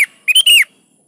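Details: Sooty-headed bulbul (kutilang) in full song, meant to prompt caged bulbuls to answer: a loud, clipped phrase of short, liquid whistled notes that rise and fall in a quick burst.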